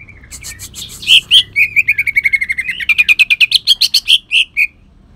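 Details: Leafbird known locally as cucak ijo kalimantan, delivering a harsh song laced with shrike imitations. Two loud whistles lead into a long, rapid stuttering trill that rises in pitch before ending with emphatic slurred notes.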